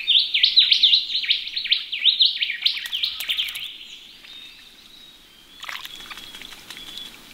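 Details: Ring-necked parrots bathing in a pond on a cool sunny Australian morning give a quick run of shrill, warbling, up-and-down notes, fading into softer high chirps, with splashing-like clicks later.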